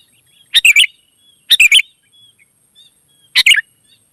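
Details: Wild sooty-headed bulbul answering with a short three-note chirpy phrase, repeated three times, roughly one per second, with faint soft whistles in the gaps.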